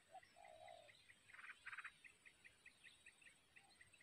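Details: Wild Yellow-vented Bulbul nestlings, recently hatched, being fed by a parent at the nest: a rapid run of faint, evenly spaced high peeps with two louder, harsh bursts in the middle, plus low background hiss.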